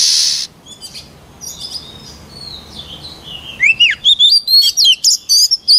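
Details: White-rumped shama song used for voice training: faint soft notes over background hiss, then a bright series of sharp, high whistled notes repeated about four times a second near the end.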